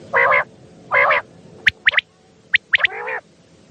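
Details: Common quail calling at night, a recording used to lure quail for hunting: sharp high three-note bursts among drawn-out nasal, harmonic honking notes repeated about once a second.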